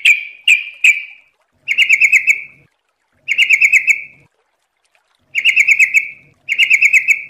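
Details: Sooty-headed bulbul in a training recording: three quick sharp chips, then four buzzy, pulsed trills of about a second each, repeated with regular pauses.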